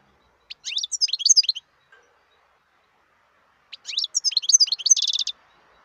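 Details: Wild European goldfinch delivering two bursts of bright, jangling twitter, each a jumble of quick sweeping notes; the second phrase ends in a buzzy rapid trill, with silence between.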